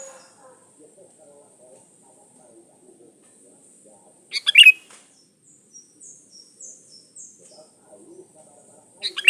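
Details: Sooty-headed bulbul lure song: one brief bubbly phrase in the middle and the start of another at the end, over quiet background chirps and low murmurs.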